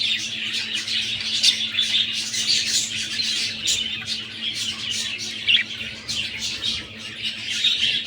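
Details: Nonstop scratchy warble and harsh squawks from a pet budgie breeding pair close to laying eggs, recorded indoors, the chatter swelling and easing every second or so over a faint hum.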